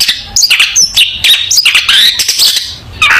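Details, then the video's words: Long-tailed shrike singing, a lively song meant for training young birds: harsh scratchy buzzes interleaved with short sharp whistled notes and chattering phrases, loud and nearly unbroken with a brief pause near the end. "Burung Cendet Gacor full masteran cocok untuk masteran cendet muda Belajar Bunyi"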